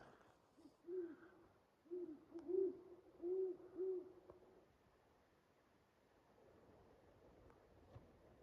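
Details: A big owl calling from the far side of the woods on a snowy late-season morning during a deer and duck hunt: a series of five deep, soft hoots over about four seconds, then quiet woodland background.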